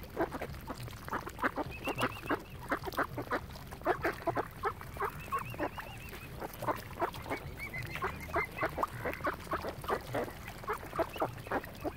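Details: Ducks on Lough Neagh at Oxford Island, Ireland, crowding around a swan family; dense, continuous run of short, harsh nasal calls from many birds, overlapping and repeated several times a second, with a few higher drawn-out notes.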